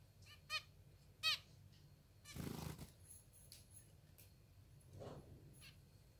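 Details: Two sharp, high, harmonic squeaks from hungry young pet zebra finches begging during hand feeding, followed by a broad rustling burst and a softer call in a quiet room.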